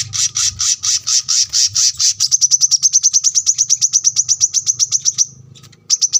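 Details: Brown-throated sunbird (kolibri kelapa), masteran recording for cage birds: a loud run of high buzzy notes speeding into a long rapid trill of about thirty repeated ticks, a brief pause, then more notes. Faint low hum below.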